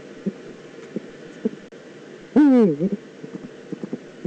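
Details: Eurasian eagle-owl in the Eifel on 9 September 2014 gives a single strident, nasal call of about a third of a second that slides downward and ends in a brief upturned tail, amid light ticking and background hiss.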